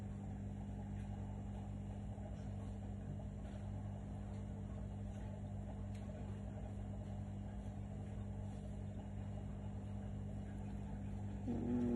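A steady low engine-like hum and rumble with no animal sound.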